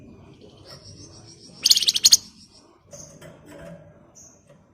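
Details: Rapid nyerecet chatter from a flamboyan: a tight half-second string of harsh high notes, a thin whistle before it and a few faint short chirps afterward over quiet hiss.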